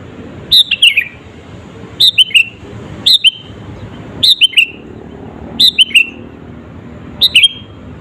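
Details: Sooty-headed bulbul song used to provoke rival birds: loud, short phrases of sharply descending whistled notes, each with a quick double flourish, repeated about every one and a half seconds over a steady low hum.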